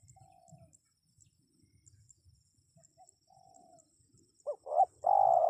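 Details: A spotted dove voice meant to make wild birds respond: soft far-off coos first, then near the end a loud phrase of two short arched coos leading into a long sustained low note.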